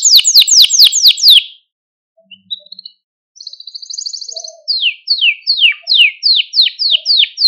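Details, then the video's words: ['Malta canary song for exciting canaries: rapid falling whistled notes, a short pause with faint chirps, a soft trill, then a slower series of clear descending whistles about two per second.'] "Süper Bir Malta Kanarya Sesi Ve Ötüşü | Kanarya Huylandırma ve Kızıştırma"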